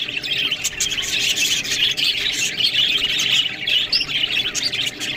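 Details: Several budgerigars feeding on green food keep up a busy, unbroken twittering: high chirps and squeaky warbled notes overlap, punctuated by short sharp clicks.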